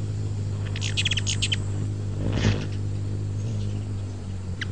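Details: Ruby-throated hummingbird making a short cluster of high, clipped chips early on, then one lone chip at the end, partly buried under a steady low hum.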